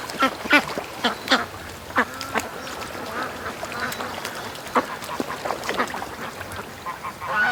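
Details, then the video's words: Flock of domestic ducks on a morning rush out of the pen toward the creek and lake; scattered loud quacks over a steady chattering background of many birds. "Ducks At The Creek Morning Rush"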